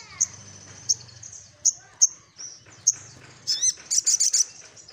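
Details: Little spiderhunter in 'nyecrett ngeroll' style, seeking a rival: a series of single sharp, high chips spaced under a second apart, building into a quick scratchy rattle with upslurred notes at the end.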